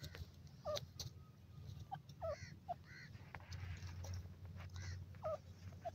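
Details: Francolin, called partridge or teetar, giving short, harsh, nasal notes scattered through the clip, some doubled, over a steady low rumble of background noise.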